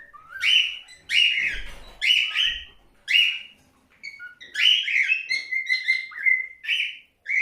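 A cockatiel sings loud, bright whistled phrases with rising notes and a few held, steady tones.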